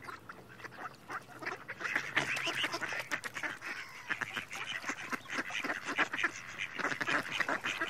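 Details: A group of mallards calling together, dense overlapping quacks and short nasal notes building from a quieter start into a loud, continuous clamour, about four calls each second.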